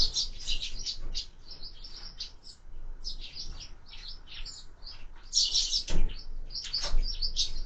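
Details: Sparrows at window-mounted feeders during a busy breakfast chirp almost continuously, short high notes in uneven clusters with louder overlapping bursts, over low background rumble.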